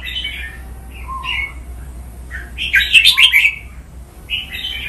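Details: Caged red-whiskered bulbul in Thai song-training recording, playful 'rong len' style: short warbled whistles, a lower fluttering note, then a loud burst of rapid chattering phrases midway, followed by softer whistled notes.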